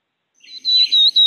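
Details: Prairie warbler (Setophaga discolor) ascending song, a New York State bird: a quick run of thin, buzzy, high notes creeping upward in pitch, cut off after about a second.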